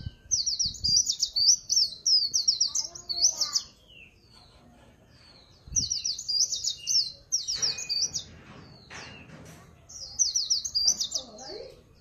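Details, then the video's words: Swinhoe's white-eye singing rapid, high, thin twittering phrases of jumbled chirps, about two seconds each, with short pauses; a few faint low knocks in the background. "Tiếng Chim Khuyên Líu Pha Chòe"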